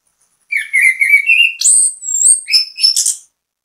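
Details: Orange-headed thrush (anis kembang) delivering a bait song to encourage other birds to join in: a steady whistled note rising gradually, then an abrupt jump to thin high whistles and quick scratchy trills over nearly three seconds.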